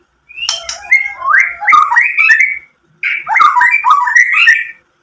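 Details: White-rumped shama singing to provoke rival shamas, two loud bursts of rich, tumbling warbled phrases with scratchy notes mixed in, split by a short pause.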